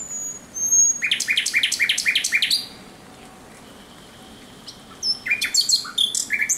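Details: Thrush nightingale in nocturnal song, recorded 17 May 2023: a loud, rhythmic burst of repeated knocking notes lasting about a second and a half, a pause with a thin tone, then another strong phrase of varied chirps.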